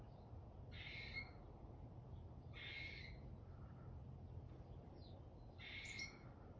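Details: Chickadee calling in a backyard: three harsh, buzzy notes about two seconds apart, each roughly half a second long, over a low steady rumble and a constant thin high electronic whine.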